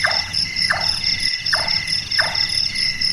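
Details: Night-active large-tailed nightjar, called burung tukang for its carpenter-like sound. Four wooden, knocking chonks are spaced roughly 0.7 seconds apart against a constant high-pitched insect chorus.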